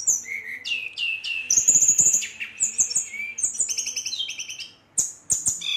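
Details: Brown-chested jungle flycatcher in agitated, nonstop rolling song meant to provoke rival birds: a rapid run of varied whistled phrases, some high and thin, others lower and trilled, with short buzzy notes packed closely together.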